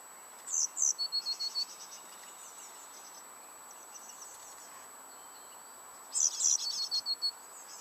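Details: Coal tit at a nest box in a garden where chicks were being reared: two separate bursts of rapid, very high chattering notes, each about a second long, with a long quiet pause between them.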